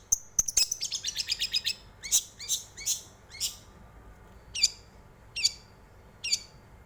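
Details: Long-tailed shrike singing as a lure to get other birds singing: a fast burst of piercing high notes, then single sharp notes spaced about a second apart.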